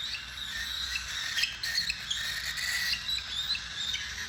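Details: Tamed cockatiels in a family group chirping together, a dense, continuous chatter of high, overlapping tweets with no pause across the stretch.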